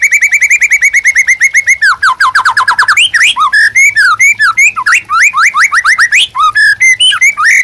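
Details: Gacor white-rumped shama singing as a master recording for training captive birds: a long run of rapid identical whistled notes, then a rich varied stream of rising and falling slurred whistles and chattering phrases without pause.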